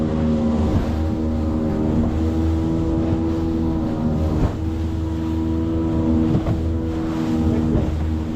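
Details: Loud droning motorboat engine with steady humming harmonics, rising and falling slightly, and no animal sounds.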